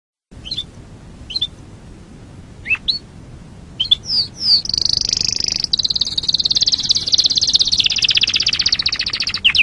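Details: Canary song on a songbird training recording: a few sparse upslurred chirps, then a long, bright, fast buzzing trill held high for several seconds.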